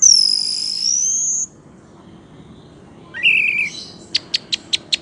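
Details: A drawn-out high whistle from the orange-headed thrush, dipping then rising. After a silence come a rough warbling phrase and five quick, regular ticking notes.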